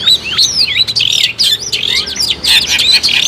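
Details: Lively gacor song of a long-tailed shrike, played to lure birds for trapping: varied loud whistles and chirps, some curling upward and others sliding down, delivered in a dense, restless stream.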